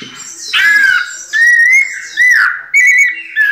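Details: White-necked thrush (sabiá-coleira) kept in captivity, singing pianado: a few smooth, flute-like whistled phrases that rise slightly and fall, delivered about twice per second at an even pitch.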